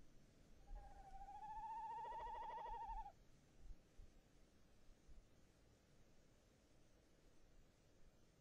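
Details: Tawny owl, a male sitting in a nest box, 22 January 2018: a single wavering, vibrato hoot of over two seconds that rises slightly then dips, followed by quiet hiss and soft knocks.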